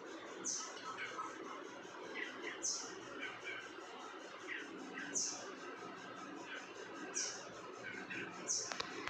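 Brahminy starling giving sharp, very high squeaky notes about every two seconds, mixed with softer chattering phrases over a steady background hiss.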